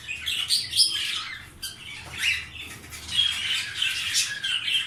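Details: Indoor canary pair that has laid eggs: rapid high squeaky chirps and harsh notes in loose bursts, with a couple of clear short whistles. A quieter gap comes midway.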